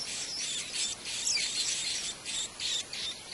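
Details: Wild white-eyes tending young at their nest: continuous high, buzzy twittering in rapid uneven pulses, loud and dense, with brief gaps between bursts.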